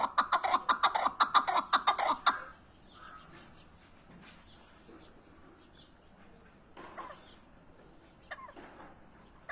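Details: Partridge calling with a loud burst of quick repeated chuck notes for about two seconds, then fading to quieter scattered notes.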